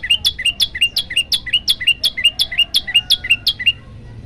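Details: Yellow-bellied prinia singing in a master recording intended to provoke other birds: a fast, regular series of about seventeen bright, upslurred chirps, close to three per second, fading at the end.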